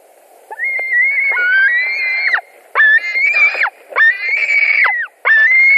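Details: White-tailed eagles at a nest in Latvia, 17 July 2020 around 22:00, during a fish delivery with two birds contesting the fish: four long, strained whistled cries near one pitch, each lasting about a second, bending down sharply at the end.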